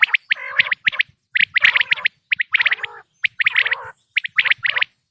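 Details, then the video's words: Quail heard in a natural recording for hunting use: groups of quick, sharp high notes, each group followed by a rasping, harmonic-rich buzz, repeating about every second. "بٹیر کی آواز"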